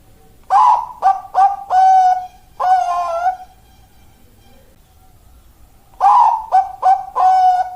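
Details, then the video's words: Perkutut, or zebra dove, with a 'malaikat maut' style voice, described as good breeding stock, cooing two phrases of several quick rounded notes, each ending in a longer held note, separated by a few seconds of silence. "perkurut suara malaikat maut"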